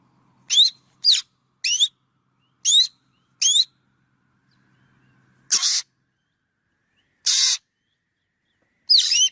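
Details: Black drongo uttering five quick upswept whistles, then a pause with a faint low hum, followed by two harsh rasping notes and a final paired whistle.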